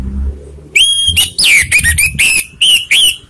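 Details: Orange-headed thrush giving a lure song to provoke rivals, a fast run of loud, clear whistled phrases, some level and some sliding down, about eight notes in three seconds over soft low background rumble.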